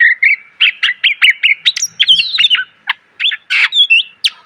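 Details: Greater green leafbird used as a song tutor for caged birds, loud and full of varied phrases: a fast stream of rhythmic chirps building into twisting whistles and buzzy notes, with a faint hum behind.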